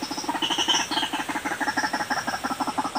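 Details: White-breasted waterhen lure call: a rapid, rattling run of low pulsed notes, about three per second, with brief higher squeaky tones mixed in.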